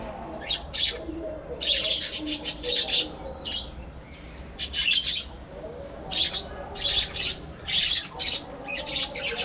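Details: Budgerigars kept as a breeding colony: bursts of scratchy warbling and rapid chirps from several birds, broken by short pauses, over a faint low hum.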